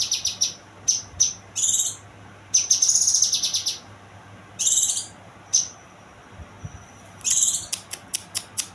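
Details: Song of a young kinoy bird: clusters of high, buzzy trilled phrases alternating with single clear whistles, short pauses between bursts, ending in a quick string of sharp notes.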